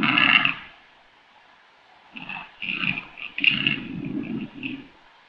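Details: Rackelwild, the hybrid of black grouse and capercaillie, calling in a harsh guttural croak, then after a pause a run of rapid grunting, rattling pulses with a coarse rasping overtone, ending in a short final burst.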